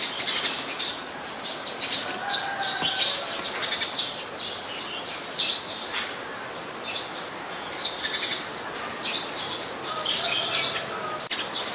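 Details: Eurasian tree sparrow, a very common resident at Ubon Ratchathani, Thailand, recorded on 10 May 2020: short high chirps scattered irregularly, roughly sixteen a minute, with a faint steady background hiss.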